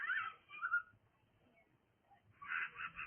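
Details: Cockatiel making noise: a burst of harsh, scratchy calls at the start, a quiet gap, then another loud raspy burst near the end.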